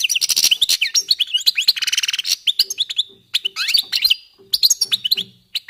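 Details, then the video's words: Warming-up song of European goldfinches: dense, fast high twittering with a buzzy rasping passage near two seconds, then quick liquid notes and chirps continuing after a short pause. "jilgueros calentando motores"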